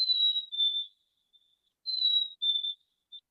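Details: A Black-capped Chickadee in Michigan, singing its song rather than calling, whistles a clear two-note fee-bee, the second note slightly lower, repeated after a short pause, with a faint extra note after; otherwise quiet. He sings because he is in love.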